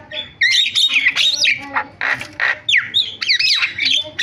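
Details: Varied song of a Javan myna: scratchy chatter, two loud harsh rasps, then clear slurred whistles that swoop down and up, all in quick succession.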